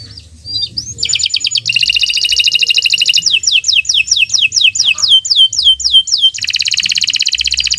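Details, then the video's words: Canary in continuous song: a rising note, then dense buzzy trills, a run of repeated down-slurred notes, and another rapid rattling trill, sung as a training model for other birds. "Kicau Burung Kenari 144 II LUAR BIASA GACOR PANJANG Cocok untuk Masteran"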